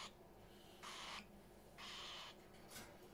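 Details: Parrots indoors, in a house full of them; two harsh, hissing screeches of about half a second each, roughly a second apart, then a shorter third burst at the end, over a faint low room hum.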